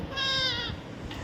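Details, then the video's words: Young pet parrot described as angry, giving one steady, whining, nasal call lasting about half a second in a quiet room. "natural funny parrot sound"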